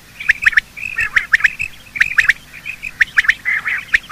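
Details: Quail of both sexes giving morning calls, used for hunting quail: quick pairs and triplets of sharp clicks mixed with buzzy, warbling chatter, steady through the recording.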